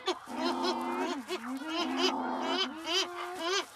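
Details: Cory's shearwaters at night on the Lavezzi islands, their breeding site where they court and mate in burrows under rocks, give harsh, wailing, nasal cries rising and falling in broken, sobbing, almost human phrases, several calling together.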